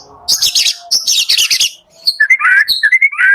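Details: White-rumped shama song in the morning, aimed at getting slow-singing shamas to sing: high scratchy chattering bursts followed by clear slurred whistles.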